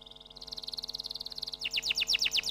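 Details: Canary singing a quick, buzzy trill of short notes that steps up in pitch, then breaks into louder, slower sweeping whistles.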